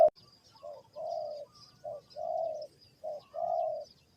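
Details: Spotted dove in Ninh Thuận, Vietnam, heard in a bird-trapping setting. Soft, low cooing comes in three pairs, each a short coo followed by a longer drawn-out coo, spaced about a second apart. Faint high twittering from other birds sits behind it.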